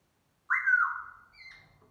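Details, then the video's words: Black-throated laughingthrush greeting the morning with song and dance: a single pure whistled note that slurs downward and fades, then a softer, higher whistle trailing off, in near silence. "khướu mun hót múa chào buổi sáng"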